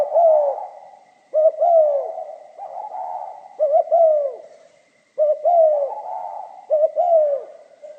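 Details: Repeated 'giọng pha kim' song of a spotted dove: low, soft double coos each followed by a longer descending note, phrases about every two seconds, over a faint steady high tone.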